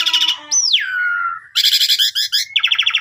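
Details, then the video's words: Asian pied starling singing gacor full isian to draw other starlings: a harsh burst, then a long whistle sliding down and holding steady, followed by grating, chattering notes. "Jalak suren Gacor Full Isian Mewah Langsung Nembak Ngerol"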